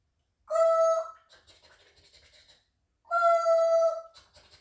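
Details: Pet African grey parrot imitating a train ride: two long, loud, steady horn-like whistle blasts, each followed by soft rhythmic chuffing noises like a moving train.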